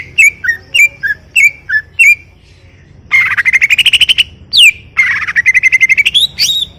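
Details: Greater green leafbird alternating short whistled phrases with long rapid buzzy trills that rise gradually in pitch.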